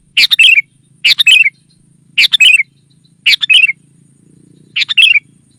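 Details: Energetic lure calling of a sooty-headed bulbul used to summon wild rivals: five short, bright chattering bursts spaced about a second apart, each a quick cluster of slurred notes, over a soft low hum.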